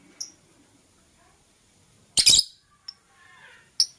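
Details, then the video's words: In the morning, green and blue masked lovebirds give a single high chirp, then a loud harsh burst of chattering, followed by a short squeak and another shrill chirp amid near silence. "Lovebird Singing and Chirping Sounds - Green & Blue Personata"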